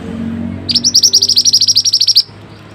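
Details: Mantenan (pied bushchat) song used as a masteran training recording: one fast burst of about fifteen sharp, high, clipped notes, evenly repeated for about a second and a half, over faint low background hum.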